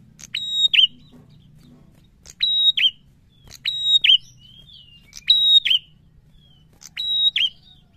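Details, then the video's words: Prenjak (prinia) in lively full song, ngalun narung style: five bursts of clear, high, level whistles, each ending in a snapped downward twist, spaced roughly every one and a half seconds over a quiet low rumble. "SUARA PRENJAK GACOR NGALUN NARUNG"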